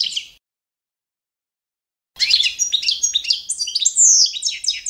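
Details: Balkan goldfinch, Carduelis carduelis balcanica, kept for competition song training: a brief burst of twittering, then after a gap a fast run of high liquid trills and buzzy slurred notes, clean with no other sounds.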